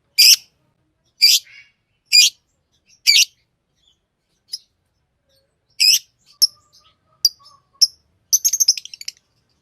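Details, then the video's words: A green Fischer's lovebird chirps: four loud scratchy high notes about a second apart, then scattered single chips and a short jumble of twittering at the end. "Lovebird singing and chirping sounds-Green Fisher"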